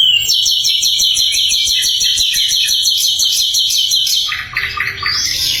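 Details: Flycatcher (sikatan londo) sings a rapid, high, chattering run of sharp notes, about three per second, ending in a few lower slurred whistles; used as a master song for other songbirds.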